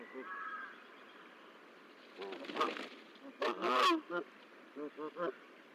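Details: Goose nesting in Decorah, hatch day 13 April 2024, goslings hatching: quiet start, then loud grating honks, followed by a few spaced short nasal notes.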